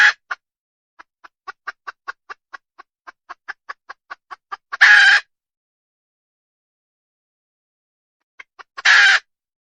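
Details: Wild red junglefowl hen repeating rapid soft clucks for about four seconds before a loud, raspy squawk, then after a long silence a few more clucks and a second harsh squawk.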